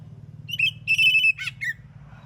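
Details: Oriental magpie-robin in full morning song that makes other magpie-robins reply: a short high phrase of clipped notes, a level sustained whistle, a downward slur and a brief closing note, with a steady low hum underneath.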